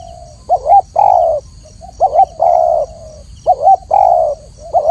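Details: Clear song of a spotted dove: a wavering two-part note followed by a long mellow coo, repeated three times at roughly one-and-a-half-second intervals, over a faint steady hiss.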